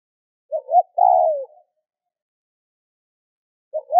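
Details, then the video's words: Spotted dove calling to stimulate other doves to call: brief low wavering notes, then one long mellow coo that slides downward near the end, a gap of silence, and another short coo fragment starting. Quiet, clean background. "Tiếng cu gáy kích bổi nhanh gáy hiệu quả"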